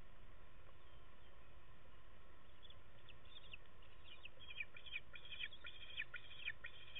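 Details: Bald eagle eaglets in the nest talking in the rain: series of high thin chirps and cheeps in clusters during the second half, over constant rain hiss.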